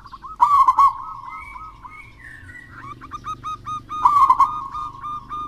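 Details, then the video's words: Local wild zebra dove singing actively to prompt lazy doves: a loud throaty coo phrase, a run of short rhythmic coo notes with a faint drawn whistle, then a second strong phrase. "Perkutut Lokal Alam Gacor Untuk Pancingan Perkutut Malas Bunyi"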